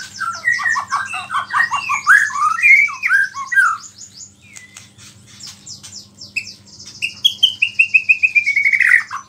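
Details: Energetic white-rumped shama song full of small-bird mimicry, said to rile other shamas: a dense burst of rapid varied chirps, a brief lull, then a descending series of clear whistled notes, with a low electrical hum.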